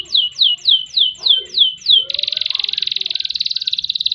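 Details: Canary song meant to provoke fighting birds: seven loud downslurred swooping whistles about every third of a second, followed by a fast buzzy rolling trill.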